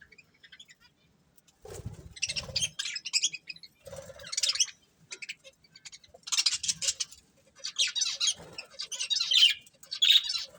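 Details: Breeding pair of budgerigars with scattered, grating warbles and chirps in several bursts, separated by quiet gaps and soft low knocks or rustles.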